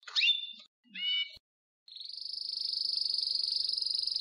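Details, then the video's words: Belgian canary singing, said to be in nature: two short chirped phrases with a brief pause, then a steady high buzzing trill that holds for over two seconds. "MELHOR CANTO DO CANÁRIO BELGA NA NATUREZA"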